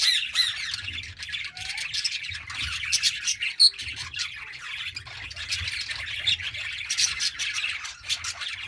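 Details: Several Australian budgerigars chatter nonstop while playing, in high, scratchy chirps and squawks.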